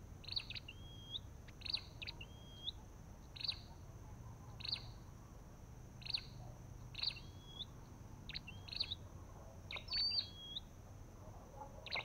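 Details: Olive-backed tailorbird with a white-eye nearby: a long series of clipped chirps, each trailing into a clear upslurred whistle, repeated about every second against faint low background hum.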